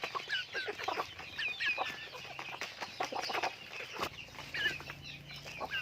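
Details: Farm chickens call together in overlapping bursts of high chirps and short peeps, with a low steady hum in the background.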